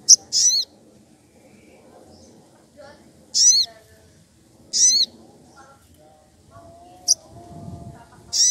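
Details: Excited sogon calling out a rival, played as a lure: shrill, high squealing notes, some doubled, given in short bursts every second or so, with soft low background noise.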